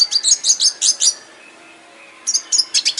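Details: Red siskin singing in an aviary as a tutor song for other birds, a quick burst of bright high chirps, then about a second of near silence, then another rapid twittering phrase.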